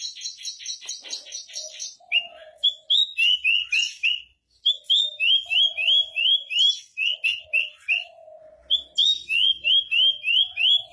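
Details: Javan bush lark (Horsfield's bush lark) singing on a rock, a fast, continuous run of bright slurred notes and trills, several notes per second, with short pauses between phrases.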